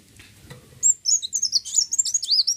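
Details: Olive-backed sunbird song used to lure other birds into singing: after a quiet start, a rapid high twittering run of thin, sharply rising and falling notes that continues to the end.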